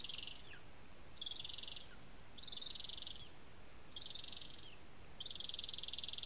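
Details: Lesser spotted eagle at its nest in a spruce in Zemgale, Latvia: high, strained, buzzy yelping notes, each under a second long with a brief downward slur at the end. They come in a loose series about every 1.2 seconds over a steady low hiss.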